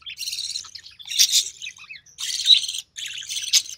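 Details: Recessive pied budgerigar chick hatched in early June 2020, filmed while its mother feeds it; four raspy, hissing bursts, each about half a second long, with short gaps between them.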